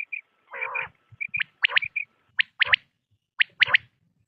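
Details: Quail sounds from a hunting recording of morning and night calls: thin high chirps and a buzzy nasal call at first, then sharp notes in single-and-double groups repeated about once a second.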